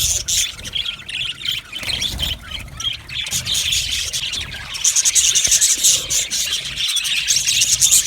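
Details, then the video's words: Budgerigar colony in an aviary, said to be happy, giving busy overlapping chirps and squawks; a thin, sharper whistled note rises above the chatter in the second half. "Amazing Budgies sounds | Budgies chirping sounds | Happy Budgies sounds"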